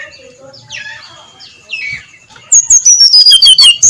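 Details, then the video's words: Brown-chested jungle flycatcher at first light. Faint, distant whistled phrases come first, then loud, rapid song begins midway: a run of high, buzzy notes stepping gradually downward. "SUARA SRDC NGEPLONG PAGI BUTA"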